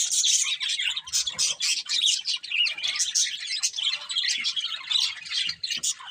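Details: Colourful budgerigars, a breeding pair, fill the air with rapid, scratchy chirping and clicking twitters in quick pulses, with faint low knocks.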